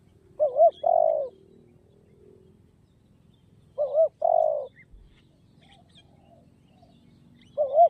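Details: Spotted dove giving a repeated burry coo: three phrases about three and a half seconds apart, each a short double note then a drawn-out rolling coo; the last one is cut off, with soft distant chirps between.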